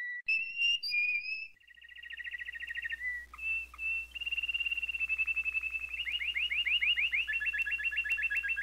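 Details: Canary song: a few whistled notes, then rapid rolling tours of repeated descending elements, speeding and growing louder into a dense, ringing trill over a steady low hum.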